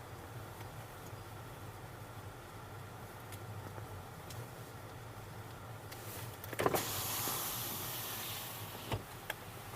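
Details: Steady low engine hum inside a vehicle, with a power window whirring and a sharp mechanical burst and rush of wind midway, then fading hiss; no animal voices.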